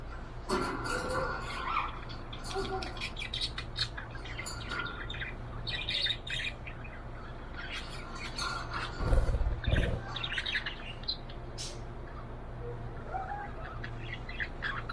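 A budgerigar chirps in quick, scratchy bursts, with a steady low hum behind it.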